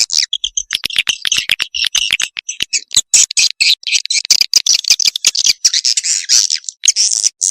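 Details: Edible-nest swiftlet calls used to attract swiftlets: dense, rapid, high-pitched twittering chirps and clicks, pouring out almost without pause and building into a continuous buzzy chatter toward the end.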